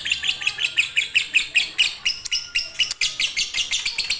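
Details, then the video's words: Konslet-style fighter lovebird song used as a master to prompt lazy birds: rapid bright chirps repeated steadily in a continuous high, metallic stream, each note clipped and slightly rising. "#Lovebridfighter #Lovebridkonslet master untuk burung males bunyi"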